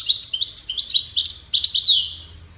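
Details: Goldfinch song given in courtship and communication: a rapid stream of high, sweet twitters and trills that falters and fades out toward the end.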